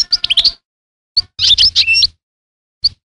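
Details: European goldfinch giving bright twittering notes, a pause, then a jumble of liquid chirps and a drawn, wavering whistle, with a last short chip.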